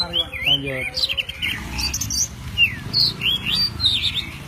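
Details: Kacer poci, the white-breasted oriental magpie-robin, delivering isian alasan fill song for songbird tutoring: varied clear whistles, quick down-slurs and high trilled notes in close succession, a faint low drone behind.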